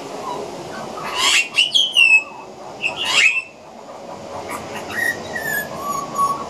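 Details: Two juvenile pied butcherbirds practising their songs, with a juvenile magpie practising its carolling in the background; two loud bursts of harsh, sliding whistled notes, then softer scattered whistles over a steady background hiss.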